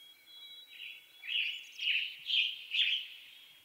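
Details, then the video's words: Western North American western tanager song: a soft lead-in, then four loud, hoarse, robin-like phrases spaced about half a second apart. A faint steady high tone sounds in the background. "Western Tanager Bird Song"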